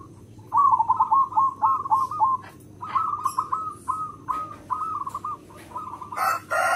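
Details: Local zebra dove with a big, strong voice, played as a lure for other zebra doves, gives repeated quick runs of trilled, stuttering coos, ending with a burst of broad rustling noise.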